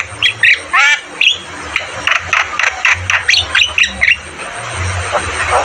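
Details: Javan myna (jalak kebo) in a training recording for caged birds, singing energetically: a few loud squawks and a rippling whistle, then evenly spaced clipped notes fading into softer chatter, with steady low hum.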